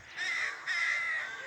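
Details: A rook near a nest being fed in a small spinney in suburban Pulford, Chester, just before 6am on 27 April 2024 during the dawn chorus, gives two harsh, hoarse caws in quick succession, the second drawn out longer.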